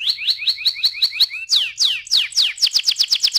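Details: Canary song in quick phrases: a rhythmic series of rising chirps, then loud descending sweeps, then a fast run of sharp downslurred notes repeated several times a second.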